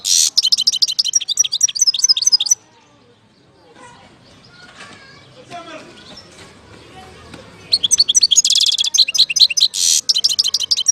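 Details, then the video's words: Algerian European goldfinch, 2019, singing two long bursts of rapid, high, jingling twitters mixed with buzzy rasps, separated by about five seconds of quiet with faint background murmur. "اجمل صوت حسون في الجزائر 2019"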